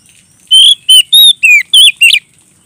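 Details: Singing vigorously to call a rival, an Oriental magpie-robin gives a loud, open 'ngeplong' phrase of six sharp whistled notes, each swooping or trilled, spaced about a third of a second apart.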